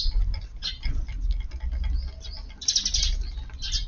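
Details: Eurasian tree sparrows visit a garden at lunchtime to feed on a warm March 23 afternoon, giving a steady stream of bright, high chirps that build into a denser, louder cluster near the end, with a low background rumble.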